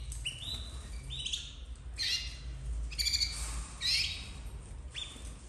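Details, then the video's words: Domestic canary chicks, red snowy variety from a 2024 breeding, producing scratchy squawking chirps and short rising notes at irregular intervals, with low rumbling noise underneath. "Filhotes de canário doméstico 2024 vermelho nevado"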